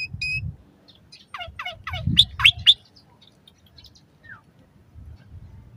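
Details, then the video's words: Asian pied starling song, played to prompt caged starlings to sing, morning and evening: a short whistled note, then a run of descending chirps and several loud, harsh broadband bursts, with quiet low rumble between phrases. "Suara Kicau Jalak Suren Terapi Pancingan Burung Jalak Saat Pagi Maupun Sore Agar Cepat Gacor Isian"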